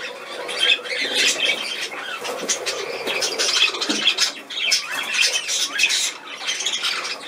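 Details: Continuous scratchy squawking from a cockatiel during hand feeding, 28 July 2020; rough, noisy calls with wavering notes swell and fade without pause.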